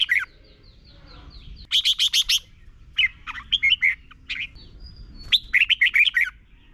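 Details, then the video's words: Red-whiskered bulbul song from Thailand, meant for young birds to copy: several quick phrases of chirpy, slurred whistles, one a fast run of sharp clipped notes, with a soft descending series of faint notes early on. "นกกรงหัวจุก - 30 นาทีทุกเช้า เพื่อให้นกเรียนรู้ที่จะพูดได้อย่างรวดเร็วและหนักแน่น"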